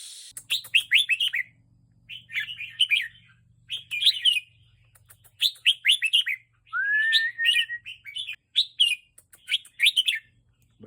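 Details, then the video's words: Red-whiskered bulbul, a caged songbird being teased to excite it, gives quick bursts of bright, chirpy warbled phrases about once a second, with one clear rising whistle midway, over a faint low hum. "ร้องเล่นเต้นริ๊ก😍🦅 ยั่วนกให้นกคึก"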